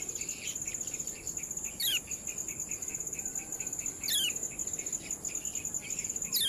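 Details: Yellow-bellied prinia (kecial kuning) ciak calls recorded to train caged birds: sharp downward-sweeping notes repeated roughly every two seconds, with soft pulsing ticks and a steady high insect drone between them.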